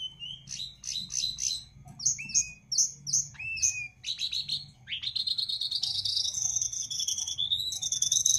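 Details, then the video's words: A jongkangan, its song used as a training "master" for other jongkangan, sings a fast, varied song of high chirps and sharp notes in quick bursts, then a long, rising, buzzy trill; faint low rumble behind. "Burung Jongkangan Gacor dor"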